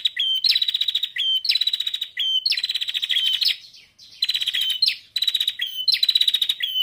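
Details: Female prinia used to lure males into singing, calling in repeated short bursts of fast, dry high-pitched ticking. Each burst starts with a brief slurred note, roughly one burst per second.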